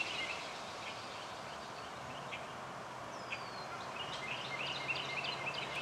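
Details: At Cape May meadows, New Jersey, USA, a male indigo bunting by a woodland track gives a late burst of rapid, high, paired chirps; a single thin falling whistle comes earlier, all over continuous hissing noise.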